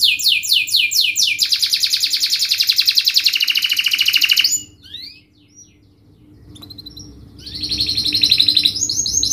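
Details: Canary singing a fast, dense song of rapid repeated notes, from sweeping downslurred syllables into a tight trill, a brief pause, then quick trills resume.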